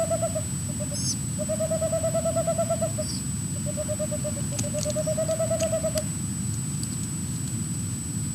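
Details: Male and female Boreal Owls calling near their nest: long, fast trills of soft, hollow hoots, each about two seconds, with brief high squeaks between them over a steady low hum.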